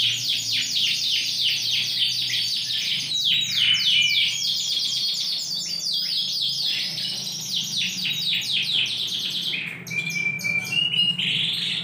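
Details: Yorkshire canary, ring 20, big-sized and singing hard on 28 January 2021: a long stretch of rapid trilled rolls of descending notes, closing with level whistled tones.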